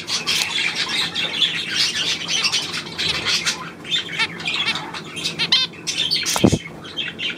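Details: Budgerigars, 9 February 2024, produce mixed squawks, chirps and warbling chatter in uneven bursts, with a sharp low thump or tap just after the six-second mark.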